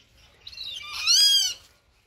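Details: Rufous-winged buzzard giving one loud, strongly harmonic screaming call about half a second long. It arches and then falls, and softer thin notes come just before it.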